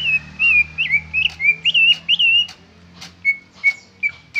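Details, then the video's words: Loud greater green leafbird song in its original form without fill-ins: a wavering, trilled whistle sustained over two seconds, then sharp clipped notes and brief steady whistles, clean background with faint low hum. "Suara Cucak ijo Original tanpa isian"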